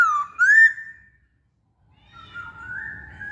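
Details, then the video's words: Masked laughingthrush in full song: a loud whistled phrase dips, then sweeps upward and trails off. Silence follows, then a quieter, drawn-out wavering whistle over a low indoor rumble. "Burung Poksay Hongkong Gacor"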